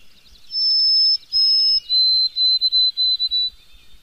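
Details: White-throated sparrow singing in spring: clear, pure whistles. Two long steady high notes come first, then the song steps down to a lower pitch in a series of short repeated notes. The background is quiet.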